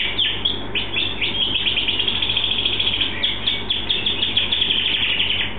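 A canary sings a fast, continuous run of bright chirps and trills between about two and four kilohertz, over a steady low hum.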